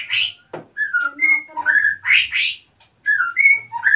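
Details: White-rumped shama male, in breeding condition and wanting to mate, from Salaman in Magelang, Central Java, while the female builds a nest; bursts of loud whistles, slurred and harsh notes separated by brief pauses.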